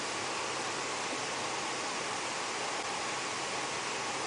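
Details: Even outdoor rushing noise, like wind or a distant vehicle, runs throughout with a single brief knock at the very end and no calls.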